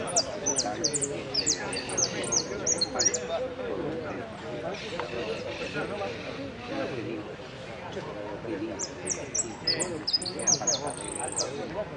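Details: Fifth-placed hooded siskin in the 'amarillo sin cierre' category, Pirán competition 15-01-17, delivers two bursts of rapid high chirps and short trills separated by a pause, backed by loud crowd talk.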